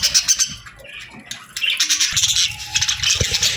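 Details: Several pet budgerigars, described as happy, chirping while they eat their favourite food; busy warbling and chattering with short squawks, a brief quiet gap midway, then steady overlapping chatter with soft crunching and low background rumble.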